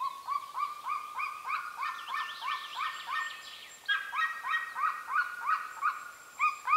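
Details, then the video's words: Golden eagles calling near their nest in the remote Carpathian mountains of Northern Romania: rapid runs of arched, yelping notes, about three per second, with a second overlapping series of higher, chevron-shaped yelps partway through. "The amazing calls of the Golden eagle"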